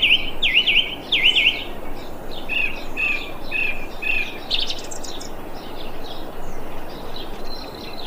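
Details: Thrush calling, 25 February 2021: quick repeated V-shaped chirping notes in the first second and a half, then a series of shorter, softer notes, fading into faint scattered high chirps and hiss.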